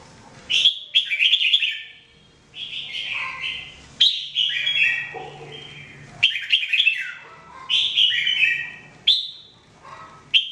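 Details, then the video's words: Continuous 2017 training song of a red-whiskered bulbul (jambul): lively, loud warbling phrases of quick whistled and chirped notes, bursts arriving every one to two seconds with short gaps. "Training Jambul bird singing everyday 2017"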